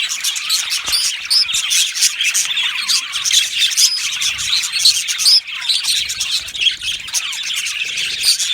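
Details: Australian budgerigars in an aviary colony, lively chirping and warbling with several clear upswept squeaks rising above the steady chatter.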